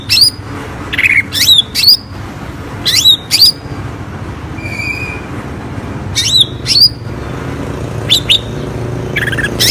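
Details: Greater green leafbird, a recording used as a lure to prompt reluctant birds to sing, giving short sharp whistled notes and rising flicks in clusters of two or three, separated by pauses, over a constant low rumble.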